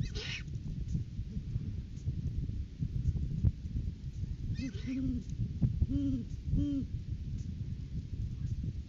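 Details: Courting-season Great Horned Owl pair at the nest tree, live camera, January 9, 2023, as the male brings a rodent gift for the female; three low, rounded hoots near the end after a rustle, steady background rumble.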